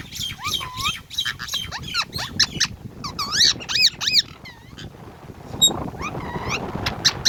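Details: Rose-ringed (ringneck) parakeet, a talking bird playing on a tree, gives rapid, shrill chirps and squeaky rising-falling notes in quick bursts, with a softer scratchy chatter toward the end.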